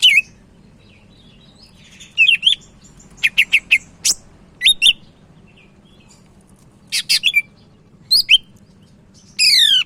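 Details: Sumatran leafbird singing energetically, kept as a daily tutor recording: scattered groups of sharp chirps, twittered doublets and wavering whistles spread across ten seconds, ending in a harsh buzzy phrase, over a low constant hum.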